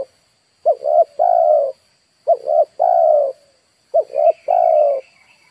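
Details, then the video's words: Lure spotted dove cooing three times in a row, each phrase a brisk two-note lead-in and a long low coo. A soft higher chirping appears near the end over a constant faint whine. "DERKUKU/TEKUKUR PIKAT DI HAJAR BURUNG LIAR"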